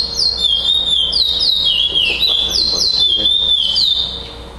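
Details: Chestnut-bellied seed finch, a young brown-plumaged male, caged, singing at a tournament in Florianópolis, Santa Catarina, Brazil, on 11 December 2011, where it won first place. Loud, clear whistled phrases rise and slur downward in a rapid, rolling, continuous series.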